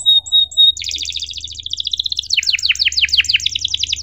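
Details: Canary song as a tutor for young canaries: three clear steady whistled notes, then a fast even trill shifting into rapid descending buzzy sweeps, with a low hum in the background.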